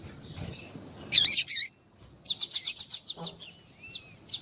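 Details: Coleiro tuí-tuí, the white-throated seedeater, singing alongside a calling female meant to excite a male: a short loud high twittering burst, a pause, then a quick even series of about ten sharp high notes.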